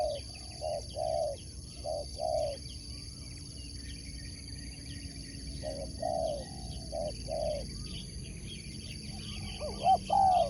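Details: Spotted dove at a sport dove competition: bursts of hollow coos, then a quiet stretch, then more coos, ending with a sharper call. Throughout, a steady high whine, faint chirps and low rumbling noise.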